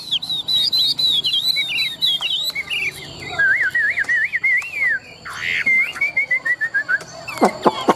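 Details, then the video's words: Caged Chinese hwamei, a bird kept for singing contests, pouring out long varied song: high wavering whistles, then lower looping warbled phrases and a descending string of short whistled notes, ending in sharp clicks. "Họa mi thuần đét, Bộ to - Đấu hót rất tốt"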